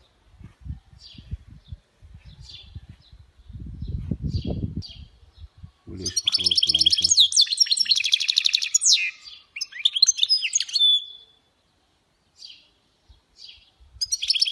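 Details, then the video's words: Goldfinch hybrid (mule) performing khalawi-style song: scattered high chirps over low thumps, then a long rich outpouring of rapid twittering, trilled and sweeping notes, ending with a few spaced chirps. "اروع تغريد خلوي بصوت هجين الحسون Chant mulet Chardonneret"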